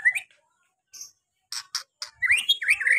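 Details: White-rumped shama lure song, meant to prompt reluctant shamas to sing their full repertoire; scattered varied notes, short buzzy bursts, then a run of warbled whistles rising and falling.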